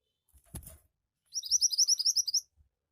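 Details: Javan white-eye (mantenan) in gacor singing, meant to prompt untrained birds to sing: a soft low thump, then a rapid run of about twelve high, thin upslurred chirps packed into roughly one second.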